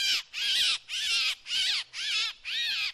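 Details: Drongo decoy call: six loud, grating, buzzy notes, each broad and slightly arched in pitch, spaced evenly about half a second apart against a quiet background.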